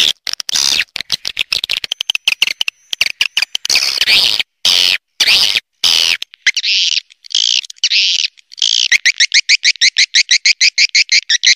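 Swiftlets twitter in dense, high chirping bursts with sharp breaks, ending in a fast run of rhythmic buzzy chirps, several per second.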